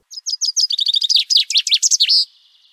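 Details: Common Chaffinch song, repeated hundreds of times an hour: a few separate high notes, then a fast series tumbling down in pitch and speeding up like falling downstairs, closing with a sharp final flourish; recorded at a nature reserve.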